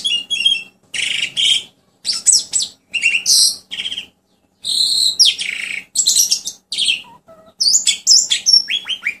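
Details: A captive Asian pied starling (jalak suren), a mimic of other birds' songs, sings a varied, chattering medley of harsh, squeaky and whistled phrases in bursts under a second long, with a faint low hum behind.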